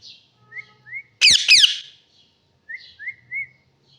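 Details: Parrot mixing short upward-sliding whistles and soft chirps with two loud, harsh squawks in quick succession near the start.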